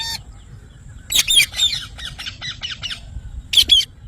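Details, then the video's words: Harsh parrot squawks: a burst of loud raspy notes followed by a fast chattering string of shorter ones, then two more screechy calls after a brief pause. "parrot natural sound mithu"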